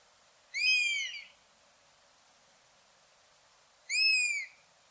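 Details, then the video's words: Wild buzzard giving two drawn-out, descending mewing calls with rich harmonics, roughly three seconds apart, against a steady faint hiss; a tiny click sounds between them. "Buzzard Sound | Hear the Wild Call of a Majestic Bird of Prey"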